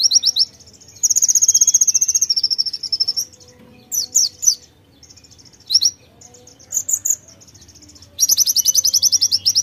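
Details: White-eye (pleci) in energetic full song filled with mimicked konin phrases: high, fast twittering trills in bursts of a second or two, separated by short pauses and scattered sharp chips.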